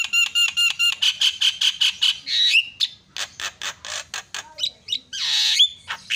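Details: Myna calling as a lure to provoke other mynas: a rapid stuttering run of ringing nasal notes, then scratchy grating chatter and a loud harsh rasping burst.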